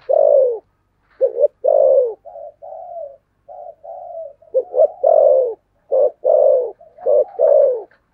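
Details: Spotted dove singing in the thổ sấm voice with hurried cooing. Deep two-note stutters and long down-slurred coos alternate with softer flat cooing notes in a busy, almost continuous run over eight seconds.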